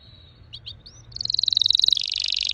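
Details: Red factor canary with soft whistled notes and a few short chirps, then a loud rolling trill that steps slightly lower in pitch, over faint low background noise.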